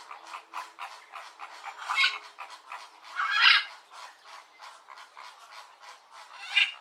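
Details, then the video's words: Gathered flamingos producing a steady stream of short nasal grunts and honks, with several louder harsh honks breaking through the chorus. "flamingo Video & Sound Effect"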